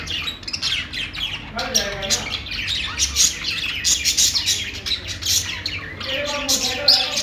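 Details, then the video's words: Several budgies chatter and sing together, busy overlapping high chirps and scratchy warbles with a few lower squawky notes running throughout. "budgies singing | budgie sounds"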